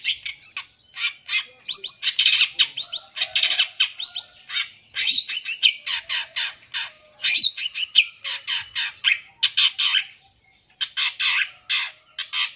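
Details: Long-tailed shrike pouring out a long full-isian song to lure and provoke young birds. Steady high chatter mixes harsh rasps, whistled slurs and rapid trills, broken by one short pause near the end.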